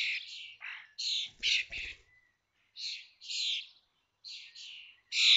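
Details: At Théding, 19 May 2024, a brood of five 21-day-old common starling chicks leaves the watched nest. Rough, scratchy, broadband calls come in clustered bursts, with a few soft low knocks near the start.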